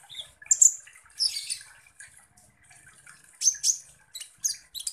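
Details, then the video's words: Kolibri ninja sunbird lure song to rouse other birds: sparse, very high sharp chirps and short buzzy bursts separated by brief pauses. "KONIN Langsung EMOSI dan NGOBRA dengan PANCINGAN kolibri ninja GACOR ini"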